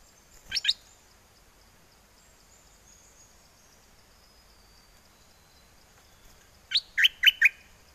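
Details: A caged red-whiskered bulbul in Chana, Songkhla, southern Thailand, calls for a mate in wild-style song amid windy weather: a brief pair of chirps, six seconds of quiet, then a crisp run of four rapid chirped notes.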